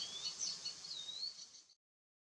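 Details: Icterine warbler, a regular breeder in southwest Mecklenburg whose song includes imitations of other birds, gives a quick, varied run of high, thin whistles and chattering notes lasting under two seconds before it stops.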